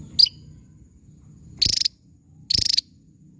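Javan tesia giving a thin high note, then short explosive bursts of rapid, sharp high-pitched chattering about once a second, with a faint low hum beneath.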